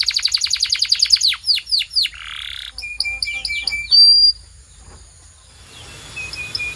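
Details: Canary training song: quick rows of falling notes, a buzzy burst, level piping whistles and a bright high note, then fading to quiet with a few soft whistles.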